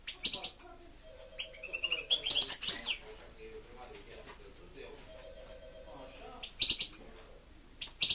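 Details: Goldfinch kept at home delivering jangling twittered phrases and rising whistles, the loudest burst near two and a half seconds, over a constant low hum.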